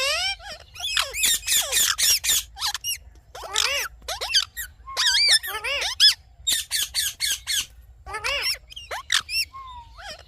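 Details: Ringneck parrots calling in the morning: loud, harsh, squeaky screeches and rising-falling shrieks in quick overlapping bursts, almost continuous, over low rumbling background noise.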